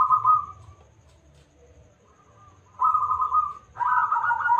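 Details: Local zebra dove with a big voice, used as a lure to draw other doves into song: a short rolling coo, a quiet gap, then longer purring coo phrases, the last one rougher and richer, over a soft low rumble.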